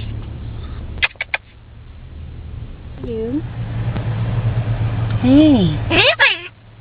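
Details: A male green-winged macaw riding in a car on the morning school run starts out whispering, then grows more vocal. He speaks a few short, speech-like words with wavering rises and falls over the low rumble of the engine.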